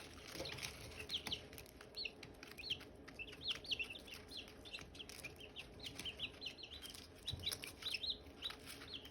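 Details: Silkie chicks and hatching eggs: dense chorus of shrill, falling peeps from several chicks, repeated in quick strings through the clip, over light tapping noises.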